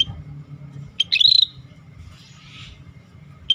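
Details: A single quick whistled phrase from a scaly-breasted bulbul singing energetically, clear and high with a brief upward flick, followed by faint softer notes. A low background hum sits underneath.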